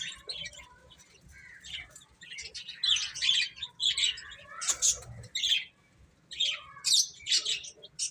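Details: Baby chickens eating and playing: quiet at first, then clear, separate high whistled peeps, some sliding, rising in loudness over the second half.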